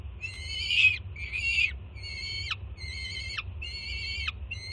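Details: Young peregrine falcon greeting its arriving mother with food at a Jersey City nest, June 2017: loud, harsh screams roughly once per second, rich in harmonics, each ending in a quick downward drop, over a steady low hum.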